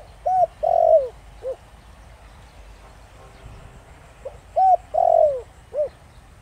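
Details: Thổ Đồng-style spotted dove song meant to lure and trigger wild doves: two low mellow phrases of clipped coo, a longer arched coo, a sliding drawn-out croo and a brief closing note, separated by a quiet pause.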